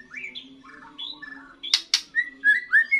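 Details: Young white-rumped shama giving its first song after moulting: short varied whistled phrases, rising and falling, between two sharp clicks, ending in clear upslurred whistles over a steady low hum.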